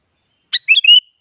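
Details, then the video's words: Sooty-headed bulbul song used to challenge a rival and get a quiet bird singing: a single brief phrase opening with a rough burst, then two slurred whistles and a longer rising whistled tail, clean background. "Suara Burung Kutilang Mengajak Lawan Agar Bunyi Bikin Kutilang Diam Semangat Berbunyi"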